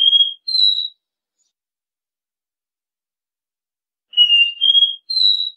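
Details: Copper seedeater (caboclinho) singing its 'dó ré mi' three-note song, used as a tutor recording to teach young birds: two clean whistled notes, a pause, then a full phrase of three pure whistles, each slightly higher. Background otherwise silent.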